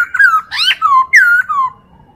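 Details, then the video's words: Tutor recording of a Chinese hwamei for training other birds: a brisk string of four or five mellow whistled phrases, one sharply rising, others gliding downward. "MASTERAN POKSAY HONGKONG"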